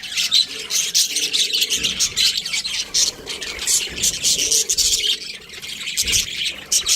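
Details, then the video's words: A group of budgerigars chattering, with high scratchy chirps and warbles in dense clusters, rising and falling in loudness over several seconds. "Cute Budgies Chirping Sounds"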